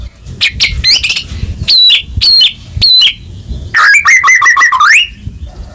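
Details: Murai batu song aimed at provoking a silent caged bird: scattered high sharp notes, three evenly spaced bright whistles, then a fast rattling trill that rises at the end.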